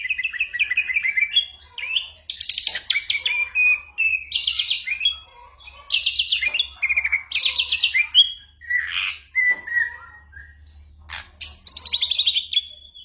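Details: Varied ashy drongo song stuffed with imitations of gunshots and birds, recorded to train white-rumped shamas during moult; phrases of rapid chirps and trills separated by short pauses, with sharp clicks.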